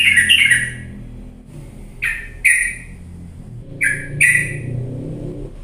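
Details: Lure recording of a yellow-vented bulbul, meant to rouse lazy birds into loud singing: short sharp chirps in scattered pairs with quiet gaps between them, over low background hum.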